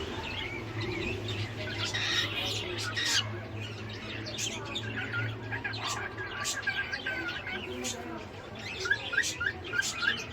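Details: A pet cockatiel whistling and singing gives quick runs of bright chirps and short whistled notes over a steady low hum.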